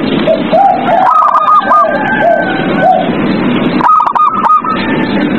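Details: Captive zebra dove cooing at night, used to coax other kept doves into song: lower rising coo notes in a rolling series, then a burst of higher staccato notes, all under heavy steady hiss.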